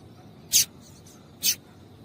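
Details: Female double-collared seedeater call, intended to stimulate males to sing: two brief, bright, high-pitched chirps about a second apart in near silence.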